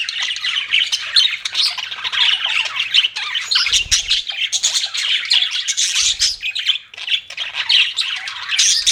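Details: Pet budgies chirping in a dense, continuous chatter of warbled, scratchy notes that rise and fall without pause, with a few brief low thumps in the background.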